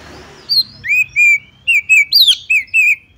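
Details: Lure call of a female white-rumped shama for getting other shamas singing: eight or so loud, pure whistled notes, mostly short level slurs with one high, sweeping downward note, following a brief soft opening.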